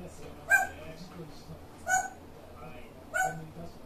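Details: Grey parrot giving a quirky, peculiar-sounding call: three short, harsh, bright squawks at roughly 0.5, 1.9 and 3.2 seconds, separated by quiet gaps over a faint low indoor hum.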